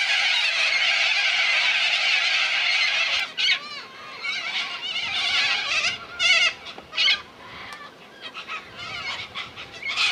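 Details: Corellas at Minkies Lagoon near Innamincka, South Australia: a loud screeching chorus at first, then thinning out into separate harsh, drawn-out squawks from individual birds spaced a second or so apart.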